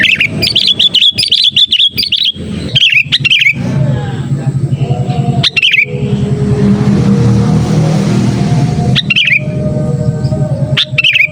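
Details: Calling sooty-headed bulbul, a recording meant to lure others of its kind: a run of chirpy, warbling phrases in the first seconds, then a long stretch of loud engine rumble with a few short bird notes breaking through.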